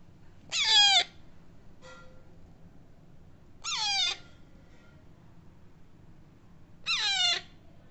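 A young Alexandrine parakeet gives three harsh, rasping squawks with a falling tail, about every three seconds, over a faint low hum.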